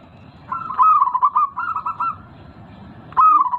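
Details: Local zebra dove with a big voice, used as a lure to prompt caged birds that have stopped singing: a loud, rolling series of short coos and trills in a level run, then a fresh phrase starting near the end.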